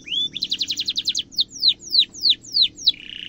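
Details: Canary delivering a sharp trill meant to train young birds: an upslurred whistle, a rapid rattle of about ten repeated notes, then slower evenly spaced falling sweeps, closing on a buzzy steady tone.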